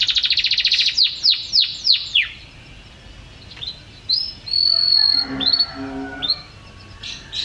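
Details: Canary sung as a model for training caged birds: fast buzzy trill, a few loud down-sweeping notes, a pause, then long pure whistles mixed with lower tones and short rising notes.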